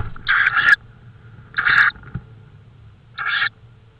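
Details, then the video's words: Tawny owl in Estonia on 5 May 2013 at 22:30, at night, giving three hoarse, rasping, noisy calls about one and a half seconds apart, with low background rumble. "tawny owl"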